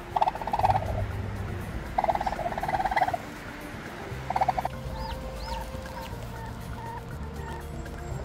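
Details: Korean turkey during natural hatching of chicks: short rough buzzy bursts of about one second, some doubled, over a steady low hum, then a few faint high arched notes and quieter clucking tones.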